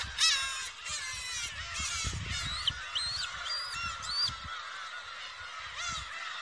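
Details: Young black-tailed gulls at a shrine in Aomori, Japan, 2 December 2018, around 15:54, give overlapping high, squealing and rising whistled calls, several voices at once, over low wind rumble.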